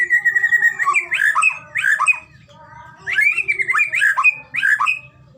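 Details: White-rumped shama song used to prompt a shama to sing, Medan style: clear whistled notes mixed with sharp dropping and rising phrases in two bursts separated by a short pause, faint low hum behind.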